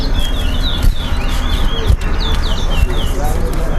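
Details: Towa towa, or chestnut-bellied seed finch, in a club whistling contest at Linden: sweet slurred whistles, rising then dropping, strung in quick phrases about once a second, beneath heavy crowd talk.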